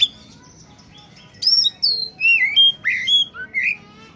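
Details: Oriental magpie-robin (kacer) in peak song, used to lure wild birds: after a quiet start, a lively run of clear whistles, rising and falling slurs and twisting notes fills the last three seconds.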